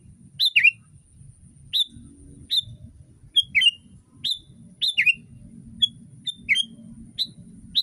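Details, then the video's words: ['Sooty-headed bulbul singing for a tutor recording meant for training other bulbuls. Clear whistled notes and downward-slurred phrases come at uneven intervals over a soft low rumble.'] "Masteran kutilang!!!kutilang paling dicari untuk membuat burung kutilang anda langsung ikut berbunyi"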